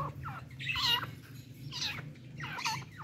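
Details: A pair of partridges with a female decoy used for hunting give three harsh, grating, squawky calls about a second apart over a steady low hum.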